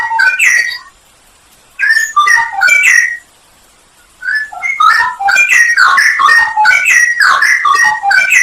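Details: Straw-headed bulbul song from a masteran training recording for songbirds, full of varied isian fill notes and nembak high shots: loud, rich, bubbling whistled warbles with fluty slurred notes, in two bursts split by a one-second pause.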